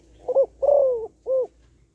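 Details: Single phrase from a female spotted dove calling to stimulate males: a brief wavering coo, a long smooth descending coo, then a short rounded final note, over faint low hum.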